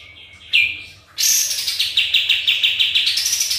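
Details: Sooty-headed bulbul lure song meant to prompt answers: a brief rising note, then a long stuttering series of about a dozen quick pulsing notes that climb slightly toward the end.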